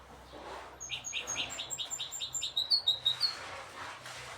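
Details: Song of a goldfinch hybrid, one of several birds recorded: about ten evenly spaced chirps in a quick series, followed by bright, slurred whistled notes, over steady low hum.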